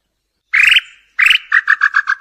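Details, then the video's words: Tataupa tinamou singing, used to attract males and females: two drawn-out whistled notes that fade as they end, then a quick run of short, even whistled notes. The recording is clean with no other sounds. "CANTO DA NAMBU PÉ ROXO PARA ATRAIR MACHO E FEMEA"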